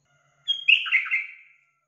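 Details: Yellow-vented bulbul sound used to prompt a kept bird to sing: one brief bright chirp opening with a thin high whistle, then a bubbly warbled burst fading out within a second, no other sounds.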